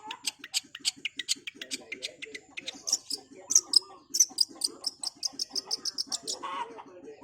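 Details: Long-tailed Shrike delivering rapid training-recording song: quick sharp ticking notes in a steady stream, then piercing high squeaky whistles, ending in a brief harsh rasp.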